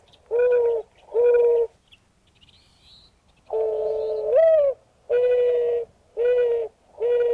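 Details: Mourning Dove cooing, a sound often heard in the morning: low, hollow notes about a second apart, the longest with a rising lift before three steady coos.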